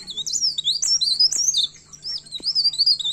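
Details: High, looping whistled song from a myna seeking a rival, notes swooping up and down in quick succession, briefly pausing midway before restarting, over a steady low hum.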